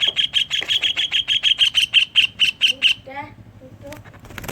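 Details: Greater green leafbird song with imitated kingfisher notes, used as a lure to prompt other leafbirds to sing: a fast series of about a dozen sharp, high, evenly spaced notes over three seconds, then softer low warbles.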